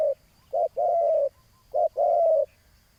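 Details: Spotted dove in a ground decoy setup gives two phrases of a quick coo followed by a longer, even purring coo, with a soft high whistle in the background.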